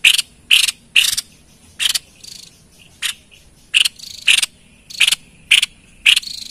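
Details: White-chested babbler in full voice, a recording used to lure wild birds: short harsh buzzy bursts, each with a bright note inside, repeated about twice a second with brief gaps, over a quiet background.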